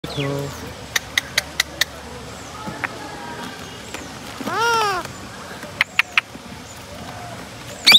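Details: Rose-ringed parakeet giving one loud, harsh, arched screech in the middle, surrounded by sharp clicks and taps and faint background chatter.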